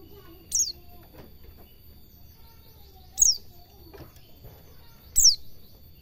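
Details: Master track of white-eye song in the ngalas cingjuitan style for teaching cage birds: three thin, high descending notes at uneven gaps of two to three seconds over a faint hum.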